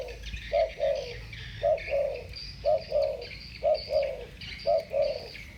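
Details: Two spotted doves of the 'thổ bầu' voice type calling against each other: evenly spaced mellow double coos, five phrases in a row, backed by light high-pitched chirping from other birds.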